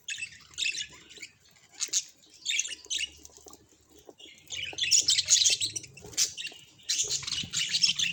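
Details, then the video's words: Budgerigar chattering in short bursts of bright, scratchy warbles and chirps, with brief pauses between phrases and quiet intervals in a small room. "Funny Budgie Sounds"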